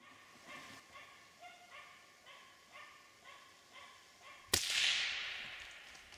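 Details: A male western capercaillie that has just flown down gives soft dry clicks about twice a second, then a sharp loud pop followed by a long hissing, grinding wheeze.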